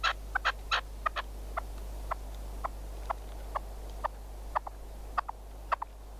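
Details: Hunting decoy red-legged partridge in Spain, calling with spaced short sharp notes, a quick cluster at first, then single chips about every half second over a low hum.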